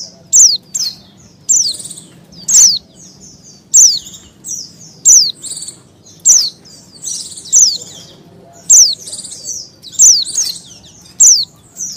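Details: Female Oriental white-eye in breeding condition calling for males, producing a long steady series of high, piercing, falling chirps, about ten in twelve seconds, interleaved with fainter twitter fragments.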